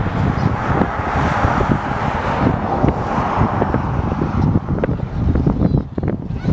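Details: Snow geese flock in Dare County, North Carolina, USA, recorded January 23, 2017; a steady roar of many distant overlapping honks mixed with wind noise, with sharper individual calls emerging more clearly toward the end.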